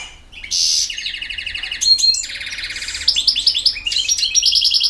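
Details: European goldfinch from Bosnia and Herzegovina, field-type singer, delivering buzzy nasal trills and chattering notes that run into quick bright twittering phrases.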